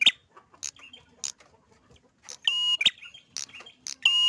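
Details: Energetic prinia song: scattered sharp, high clicks and chips, then two drawn-out buzzy, rattling notes toward the end, set against an otherwise quiet background.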